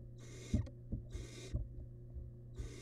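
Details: Wild barn owl nestling eating a large rabbit remain inside a nest box; three rasping hiss bursts with a short gap, interspersed with loud thuds and clicks from handling the prey, and a steady hum.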